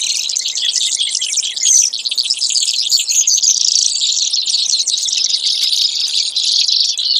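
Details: Brewer's sparrow, with a continuous high, buzzy trilling running without pause for the whole stretch, dense rapid notes shifting in pitch.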